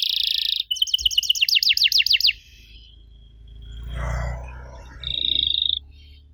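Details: Singing canary used to prompt young canaries to respond: a buzzy trill, then rapid rattling repeated notes, a pause filled with low rumbling background noise, and a short clear trill at the end.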